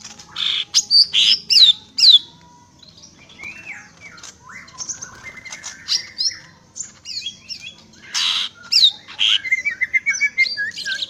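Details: Greater green leafbird pours out a rapid, loud medley of high chirps, clipped whistles and downward-slurred notes in bursts, with short quieter passages between phrases and a soft low background hum.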